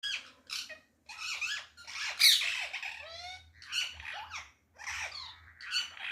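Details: Loud parrot calls on a balcony: harsh, raspy squawks in bursts of about half a second, some with sweeping falling notes, following each other with brief gaps.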